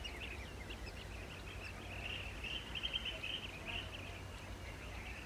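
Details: Blue-tailed bee-eaters at their nesting site: a dense, continuous chorus of short rolling trilled calls from several birds, overlapping without clear pauses, with a low steady hum underneath.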